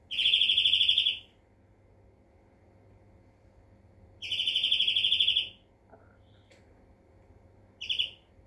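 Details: European greenfinch trilling: two long rapid rattles of bright repeated notes about three seconds apart, a few faint soft notes between, and a short trill at the end.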